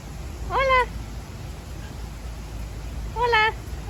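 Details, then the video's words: Galah cockatoo in a zoo park, getting head scratches and interacting with people; two harmonic, slightly rising squawks about two and a half seconds apart, each under half a second, over steady background hum. "Galah Cockatoo Talking & Getting Head Scratches"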